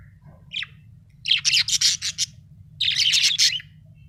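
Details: Budgie chatter: one short rising chirp, then two dense runs of rapid, grating chirps, each lasting about a second, over a faint low hum.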